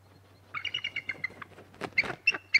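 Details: Bald eagles at the Decorah North nest on 6 March 2018, around 6 am, call during a shift change as the male flies to the nest: a quick series of thin, high chirping notes, then sharper squeaky peals, with a low hum.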